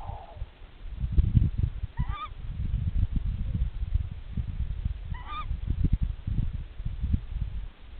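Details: Tawny owl mates calling to one another at the nest: two short, squeaky, arched calls about three seconds apart, accompanied by loud low-frequency rumbling and handling noise.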